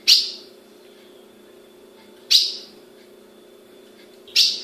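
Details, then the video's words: Captive-bred female ultramarine grosbeak in Brazil calling: three sharp, high chips, each a quick downward tick, spaced about two seconds apart, over a steady low electrical hum. "Fêmea de azulão piando"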